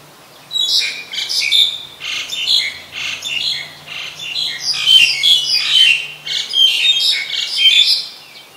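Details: Noisy chatter from a Black-collared Starling, Ubon Ratchathani, Thailand, 10 November 2021: a long run of harsh, rasping squawks repeated about once a second for eight seconds, uneven in rhythm.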